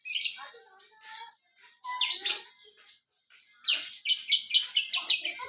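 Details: Lovebird in biola-style song: scattered thin squeaks and chatter give way to a rapid run of loud, shrill, evenly repeated chirps near the end.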